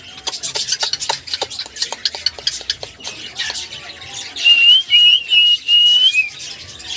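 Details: Cockatiel replying to sounds: a run of quick clicking chatter notes, then three loud level whistles in a row near the end.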